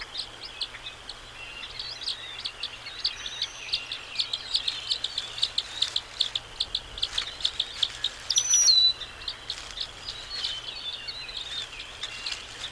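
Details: Two bald eagle eaglets, 16 to 17 days old, in their nest on April 10, 2024, waddling and exploring: thin, high peeps repeated rapidly and steadily throughout, with a brief louder whistled note partway through.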